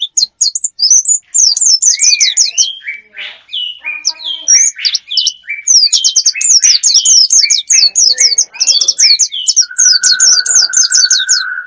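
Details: Wild bird lure sound played to attract wild birds: dense bursts of high, rapid, down-slurred chirps mixed with lower whistled slurs and a steady flat whistle near the end.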